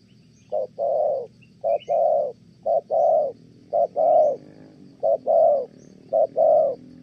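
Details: Spotted dove from Kon Tum, Vietnam, used for trapping doves, giving a good-voiced coo in the Thổ style: short low note followed by a longer mellow hoot, pairs repeated about once a second.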